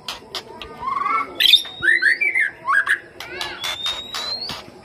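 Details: White-rumped shama lure song meant to draw out other shamas: rich, fast-changing phrases of rising slurred whistles, warbles and sharp clicks, loud and varied, with high thin upslurred notes near the end.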